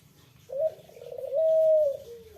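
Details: Puter, a Eurasian collared dove, cooing to draw an answer from a rival: one mellow phrase with a brief opening note, a sustained hollow middle and a soft falling tail, close and clear.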